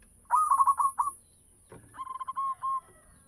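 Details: Zebra dove of local stock in full song, meant to lure other doves: a quick rattled burst of coos, a pause, then a softer run of evenly spaced cooing notes over a faint high-pitched hum.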